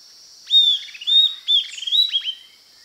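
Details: Southern antpipit singing: a clear descending whistle, then rapid stuttering clicks and further sharp down-swept notes, all against a constant high-pitched background hiss.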